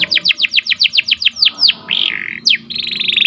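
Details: Atlantic canary song intended to train canaries and trigger singing in breeding birds: rapid descending chirps, a drawn-out slurred whistle dropping in pitch, one sharp note, then a fast high trill.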